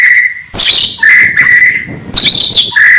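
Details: Morning song of an oriental magpie-robin, meant to excite opponents: clear steady whistles alternating with bright, harsh high bursts.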